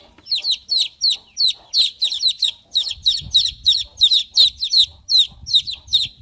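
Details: Baby chicks chirping, a rapid stream of high, thin peeps, each a short downward-sliding note, coming about three per second in uneven bursts, with faint low thumps and rustling underneath.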